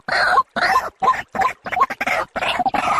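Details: White-breasted waterhen call used as a bird lure for day and night: harsh, croaking notes delivered in a steady run of about two to three per second, each with a brief squeaky top, separated by short silent gaps.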